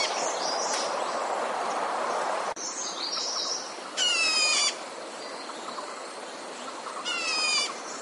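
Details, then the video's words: Red-whiskered bulbul kept as a decoy bird for trapping wild bulbuls: two loud, harsh, buzzy rasping notes about half a second long, three seconds apart, with faint high thin whistled squiggles and steady background hiss. "Tiếng chim chào mào mồi"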